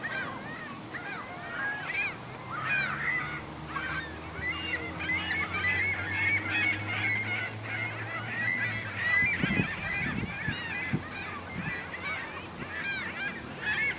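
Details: Large gathering of herring gulls, more than a hundred birds at a local lake, keeping up a steady din of overlapping squealing and yelping calls, with low rumbling and a few thumps partway through.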